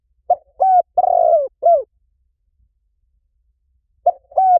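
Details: Lure recording of a spotted dove for attracting doves: a full phrase of mellow coos, the third note longest and slightly rough, then a pause of about two seconds and the start of the next phrase.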